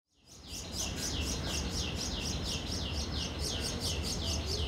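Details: Juvenile Common Myna (Acridotheres tristis tristis) gaping for food at a nest between a wall and a decorative grill in an urban housing complex in Delhi; rapid high chirps repeated a little over twice per second, with low traffic hum beneath.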